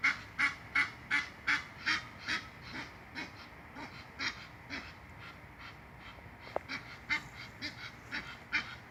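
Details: An Egyptian goose in a canal at Wellington, Florida, huffing and honking madly: harsh, huffing honks in a steady series, roughly two or three each second, with a brief sharp click partway through.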